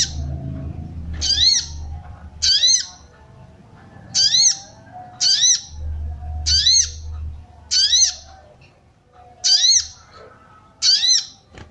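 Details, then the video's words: Female sooty-headed bulbul calling to stimulate males: a long series of about nine harsh, arched squawk notes, roughly one every second or so, steady in pitch, with low hum underneath. "SOGON BETINA MANCING BIRAHI SOGON JANTAN"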